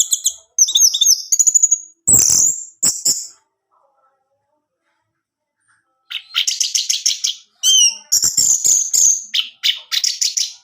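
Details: Orange-headed thrush, played so that a captive male will sing: short bursts of rapid high repeated notes, a couple of sharp clicks, a long pause, then fast pulsed chattering phrases repeated in quick runs.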